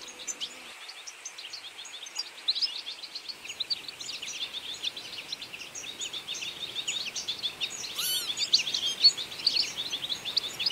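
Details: A feeding flock of European goldfinches in autumn twitters together in a dense, continuous chatter of bright, tinkling high notes, with a faint background hiss throughout.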